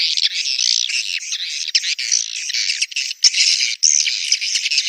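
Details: Swiftlets giving breeding and courtship calls in a dense, continuous stream of high, buzzy chirps and clicks, with many voices overlapping and only brief gaps.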